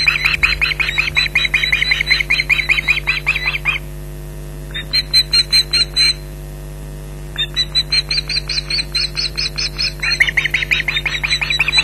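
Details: Ospreys calling against an intruder at their Loch Garten nest in July 2011: bouts of quick harsh yelping alternate with short runs of high whistled notes and gaps of near quiet, with a constant hum.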